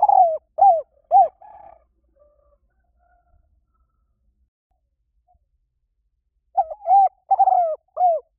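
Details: A spotted dove, used as a lure call said to draw doves in quickly, gives soft, mellow coos in two short bursts of about four notes each, separated by a few seconds of quiet.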